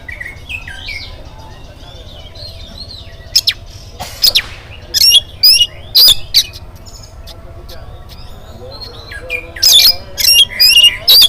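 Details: Oriental magpie-robin in morning song intended to trigger other birds: soft whistled slurs at first, then loud rasping bursts in clusters, repeated roughly twice a second, over faint background hum.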